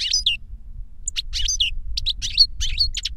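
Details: Goldfinch, older bird teaching a younger one through song: quick bright chirps and slurred twitters in short phrases, low hum underneath.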